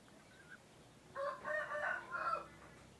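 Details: A rooster (male of an egg-laying chicken type) crowing to signal that morning has begun: after a faint short note, a loud, strained, multi-part crow rises and wavers for about one and a half seconds.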